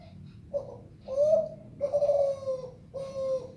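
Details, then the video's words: Zebra dove of the Kelantan type singing sweetly: a short lead-in coo followed by three longer, level cooing notes, each about half a second, evenly spaced, soft and mellow indoors. "Suara burung derkuku kelantan suara merdu"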